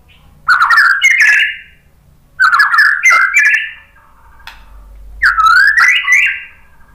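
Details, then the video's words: White-rumped shama song played as a lure to provoke other birds into answering: three rich, warbled phrases of whistles and harsh notes, each about a second long, separated by short pauses. "MURAI BATU memancing BUNYI jadi NYAUT GACOR NGEPLONG"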